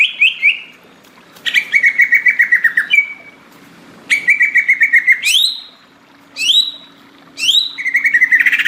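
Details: Greater green leafbird song in repeated phrases: a high whistle sweeping upward, then a fast rattling series of pulsed chirps, each phrase separated by about a second of quiet, with a faint steady hum beneath.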